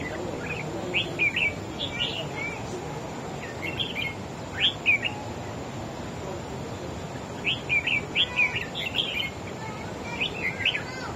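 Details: Red-whiskered bulbul, a wild-caught bird, singing in a contest against another bird: short bursts of rapid, warbled, chirpy phrases in clusters separated by pauses of one to two seconds, over constant background hiss.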